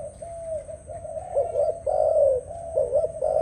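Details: Dove cooing in a continuous low series, soft at first, then louder wavering phrases that rise and drop, ending in a final rolling coo.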